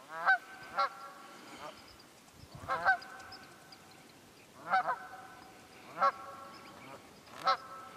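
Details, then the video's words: Wild geese at Quehanna Wild Area, PA, in late winter; paired loud honks recur about every one to two seconds against a quiet background. "Wild Geese Quehanna 27 Feb 2018"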